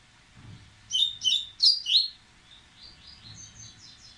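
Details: Excited, impetuous Dubois's seedeater getting ready to sing: a quick burst of four sharp, high chirped notes, each sliding downward, then a softer string of thin, faint twittering notes trailing off.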